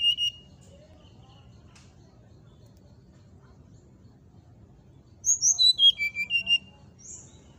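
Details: Brown-chested jungle flycatcher, song for provoking rivals: after a quiet stretch with a low background hum, one quick phrase of whistles drops in pitch, followed by a single high note.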